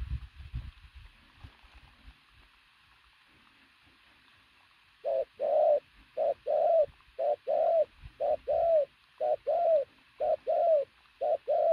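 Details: After about five seconds of faint low rumbling, a pigeon starts cooing loudly: repeated pairs of a short note and a longer falling note, nearly once per second, steady to the end.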